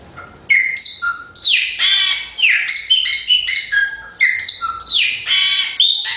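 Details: Chopi blackbird song: a rich, varied phrase of clear whistles and liquid gurgling notes, with rising and falling slurs and buzzy bursts in quick succession, loud against a quiet background.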